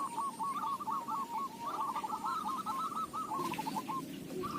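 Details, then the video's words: Local zebra dove, a recording suited for use as a lure, giving a fast run of short, low cooing notes strung together in a rolling, stuttering series, with faint background rumble. "Perkutut lokal suara cocok buat pancingan"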